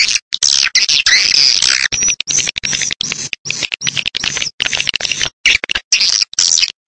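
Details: Swiftlets lured by a recording of choppy bursts of high, squeaky twittering, about two bursts a second, separated by short silences, each burst dense with rapid chirps.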